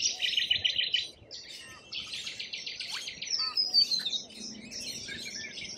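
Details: Noisy lorikeet chorus from Australia, with strident buzzy screech blocks lasting about a second each, broken by short gaps and overlaid with thin, high squeaky whistles.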